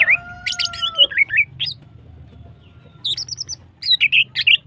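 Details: Female greater green leafbird in hyperactive, long-phrased song meant to excite other birds to breed: a steady pure whistle under rapid chattering notes, a silent gap, then clusters of high, bouncing twitters.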